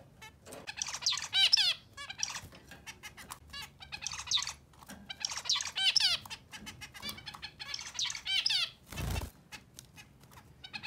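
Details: Zebra finch (Taeniopygia guttata), song: courtship while being paired with a new mate.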